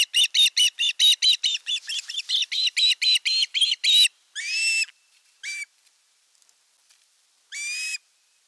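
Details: Osprey chicks at nest #1 in the Satakunta region of Western Finland, 5 August 2024, the elder chick attacking the younger during a fish delivery; a rapid run of about sixteen sharp whistled chirps, then three longer, drawn-out calls.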